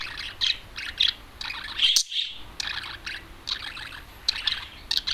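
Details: Out-of-cage adult male budgerigar, large and loud-voiced, perched on a television, delivers a busy run of high buzzy chirps and clicks, broken by one brief silent gap midway.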